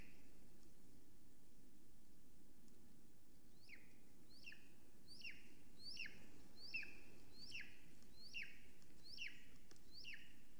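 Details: Female Golden Eagle at a nest watched by a live camera in Estonia, 13 July 2020, 9:53 am, calling after arriving. After a quiet start, a run of thin, downslurred squealing notes repeats about every 0.7 seconds over steady background hiss.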